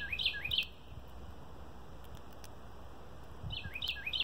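A red-winged blackbird gives quick bursts of bright, upward-sweeping chirps at the start and end, with a quiet gap between. A low, steady rumble runs underneath.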